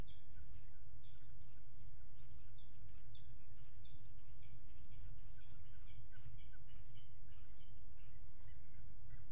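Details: Peregrine falcons at a nest on the Axel water tower, 5 February 2018, mating on the ledge: short, sharp, high calls repeated rapidly in series over a steady low rumble of wind and background noise.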